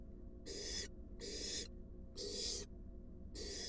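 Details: Barn owl, wild, in a nest box where an adult brings a large rat to its fledgling. Four long rasping hisses come at slightly uneven intervals, with little other noise.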